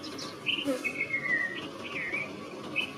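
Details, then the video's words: Red-vented bulbul producing quick chirped notes and a longer falling whistle, three or four phrases in three seconds against a busy, noisy background. "Red Vented Bulbul Sound Calling - Sounds of Bulbul - Bulbul Song"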